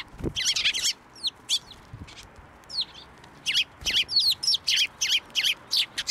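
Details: Sparrows at a Tenmangu shrine on 10 June 2024, flying to the hand to take food, give loud, rapid, rasping chirps. They come in quick runs, pause near the first second, then return as a steady string of notes.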